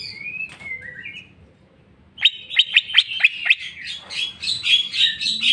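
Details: Greater green leafbird in full song showing its filler repertoire: brief gliding whistles, then a fast run of sharp ticking notes that merges into a dense high twittering warble.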